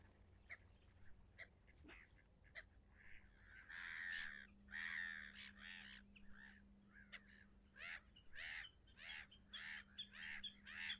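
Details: Leucistic red-throated loon starting with scattered short notes, then breaking into a long run of harsh, cackling, goose-like calls, repeated at an uneven pace over a low steady hum.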